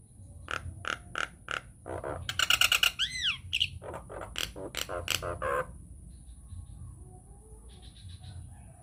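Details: Nias hill myna singing as a lure to provoke rival mynas: evenly spaced clipped notes, a burst of harsh ringing calls and arching whistles, then the song fades into quiet background hiss.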